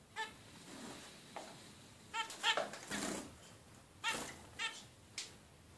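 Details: A sixteen-day-old zebra finch chick gives brief buzzy, nasal call notes, some doubled, spaced unevenly across a few seconds over faint room noise.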